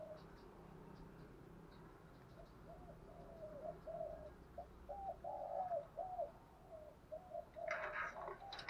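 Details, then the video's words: Lure spotted dove calling to goad wild doves into a fight; a string of short rounded coos grows louder midway, with a brief burst of broadband noise near the end. "chim cu mồi thúc đấu và gáy gọi kích bổi rất xiêng gáy"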